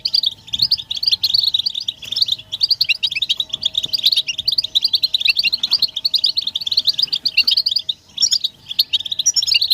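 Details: Many European goldfinches in betbeta chorus, mating and readiness calls used to stimulate males to sing without pause. A dense, unbroken stream of high tinkling twitters runs over a faint steady low hum.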